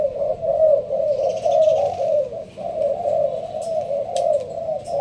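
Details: Malaysian spotted dove, a caged bird inside a leafy cage, cooing in the sparse song style. Deep, rounded coos flow in a near-continuous chain with brief dips between phrases. Some faint rustling is audible higher up.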